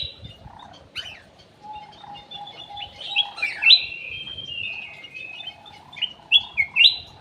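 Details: Golden bulbul (cucak emas, kutilang emas) song used as a lure, from an aviary: short clear whistled notes that rise and fall, ending in several loud slurred phrases, over a low steady hum and faint rustling.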